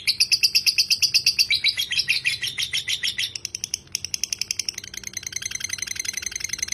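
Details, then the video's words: Lovebird in a long 'ngekek' run: loud scratchy notes repeated nearly three times a second, fading slightly, briefly pausing, then resuming as a faster, thinner buzzing chatter. "lovebird ngekek panjang"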